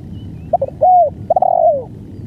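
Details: Long-duration spotted dove song: a couple of quick low notes, a smooth drawn-out coo, a pause, then a broken stuttering onset leading into a long coo that slurs downward at the end.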